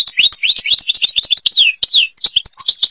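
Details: European goldfinch of Algeria singing the Babas forest Tibrli song: a fast, unbroken flow of high, liquid twitters and descending slurred notes with crisp chirps, pausing briefly before more twittering.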